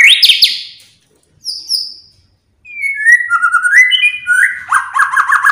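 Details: White-rumped shama song used to provoke other birds into singing: loud varied phrases, a buzzy burst, then a pause, rising and falling whistled notes, and fast repeated chirps toward the end.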